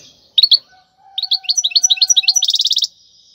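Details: ['Wild European goldfinch song for tutoring young finches: two sharp notes, then a run of rapid tinkling chirps ending in a dense buzzy trill, with a faint steady low tone behind.']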